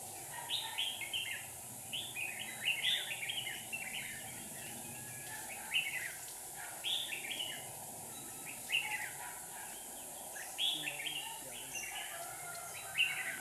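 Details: Red-whiskered bulbul decoy singing in a trap in Hòa Bình to lure a wild rival bird; lively warbled phrases of several quick notes repeat roughly every one to two seconds above constant background hiss.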